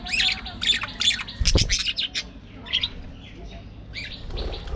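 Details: Budgerigars in an aviary colony give harsh, buzzy squawks in quick bursts, several close together at the start, then scattered calls after a pause, with a low background rumble.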